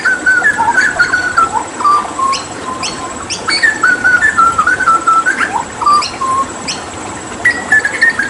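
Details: Hooded butcherbird, endemic to Papua and known for copying other birds, pouring out a long varied string of mellow whistles, notes jumping between low and high pitches in short bursts with brief pauses between phrases.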